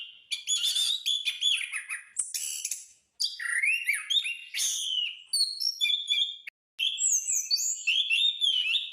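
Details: Orange-headed thrush in full song, played as training audio for caged birds: continuous rich, varied whistled phrases with slurred notes, rapid chattering trills and buzzy mimicry, broken by two brief pauses.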